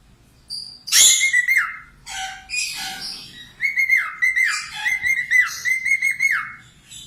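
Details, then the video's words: Singing budgerigar, used as a training recording for cockatiels: a sharp rasping note, then a run of chattering warble with repeated whistled notes that hold steady and dip down, several in close succession. "SUPER GACOR COCOK UNTUK MASTERAN COCKATIEL LATIH SUARA PARKIT AUSTRALIA"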